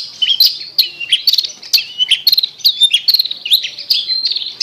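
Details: Long-tailed shrike (cendet) song used as a lure to get a shrike that has stopped singing to sing again: dense, high, scratchy chattering with rapid sharp chips and short buzzy slurs, continuous throughout.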